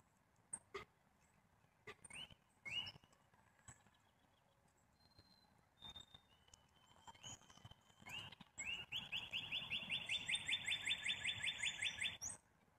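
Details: Black-capped chickadee calling: a few short rising notes, then a long, fast, evenly spaced run of harsh, buzzy, mid-pitched notes lasting about three seconds. Scattered clicks and faint background noise come before it.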